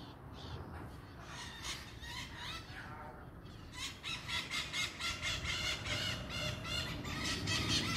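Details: Many maritaca parrots at dusk in Pirassununga, São Paulo, Brazil, on 11 April 2024; scattered harsh calls build after four seconds into a dense run of rapid, grating screeches repeated over and over, above a steady low background rumble.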